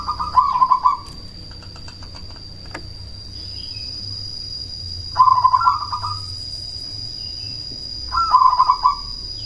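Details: Cemani zebra dove, used as a lure to provoke rival doves into answering and to raise breeding drive: three short, trilled bubbling coos spaced several seconds apart, with background hum and a steady high whine.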